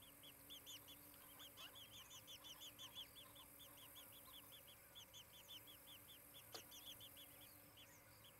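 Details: Osprey calls from a nest in Charlo, Montana, on 23 July 2018, late morning: a long, nearly unbroken series of arched whistled chirps, about three a second, over a faint low hum.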